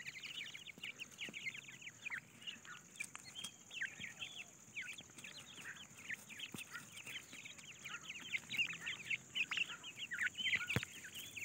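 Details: Grey francolin chicks foraging for food, giving a dense, continuous chorus of short high peeping chirps, many overlapping, with a steady faint high hiss behind.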